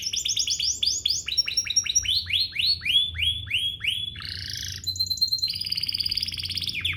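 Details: Domestic canary song played to make other canaries sing: a varied run of sweeping, repeated notes, then a harsh buzzy segment and a fast high trill, with a low background hum.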